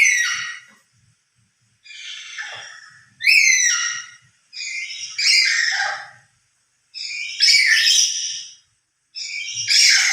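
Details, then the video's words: Lory calling loudly when emotional, louder alone than with other lories: harsh, raucous screeching squawks in bursts of about a second, repeated with short pauses, some notes sliding downward, with faint low knocks beneath. "Suara lebih keras sendiri dari pada bersama burung nuri lain"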